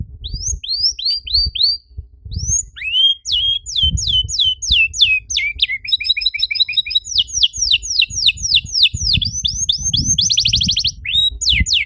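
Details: Canary song meant to encourage other canaries to sing: varied phrases of sweeping whistles, fast twittering trills and a buzzy rapid burst, with constant low background noise and thumps.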